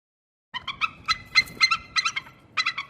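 An eagle gives bursts of harsh, chattering high notes with a reedy ring, in quick clusters about every half second, then a short pause.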